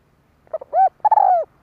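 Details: Spotted dove kích bổi call: a short muffled note, a swelling arched coo, then a long sustained coo that slowly falls away. Faint low background hum.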